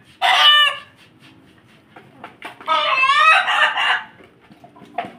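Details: Ayam Ketawa rooster with Pelung chickens gives two loud crowing bursts, the second a long wavering, stuttered series, with quiet clucking and low background hum between.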